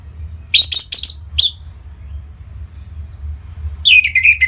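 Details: Orange-headed thrush song meant to prompt other birds to sing: three sharp, high, ringing notes, a quiet pause of about two seconds, then a quick descending run of notes at the end.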